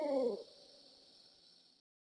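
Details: A Barred Owl in the Ozark spring pre-dawn, in riverbottom forest, gives one short, deep, resonant hoot that sags slightly in pitch, then fades into a faint steady high hiss of insects.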